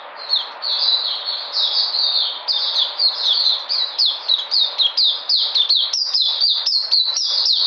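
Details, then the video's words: Puteh, the white-eye, recorded 13 February 2020 as its energy returns: a rushing series of high slurred twitters, turning into crisp, evenly spaced chips in the closing seconds. "Puteh Sunday coming back in energy"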